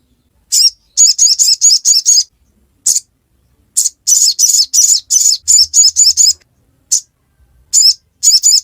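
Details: Ngiriwek song of the crimson sunbird, used to coax young birds into singing: bursts of rapid, thin, high-pitched chips separated by short pauses, with isolated single notes between the runs.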